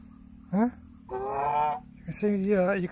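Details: A swan goose (Chinese goose) at the pondside, whose mate is sitting on a nest with four eggs, gives three nasal, trumpeting honks: a short rising one, a long drawn-out blare, then a wavering honk, with faint background hum.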